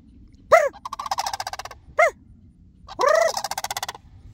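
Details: Sandhill cranes responding to a person's calls; sharp arched notes are followed by bursts of rapid, rolling, pulsed trilling.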